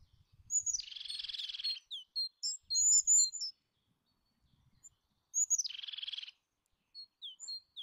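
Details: Eurasian jay uttering two loud, grating screeches, each lasting over a second and spaced several seconds apart, while another small bird adds short, thin, high-pitched chirps in the gaps.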